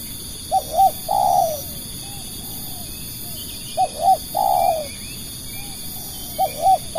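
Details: Spotted dove kept as a lure bird to attract other doves, giving three low cooing phrases about every three seconds, each two short hooked notes then a longer burry coo, with faint softer coos between and a steady high whine behind.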